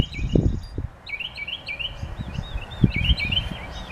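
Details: Bird song made of soft, looping warbled notes, mid-high and somewhat faint, with a brief higher note near the start; low knocks and rumble underneath.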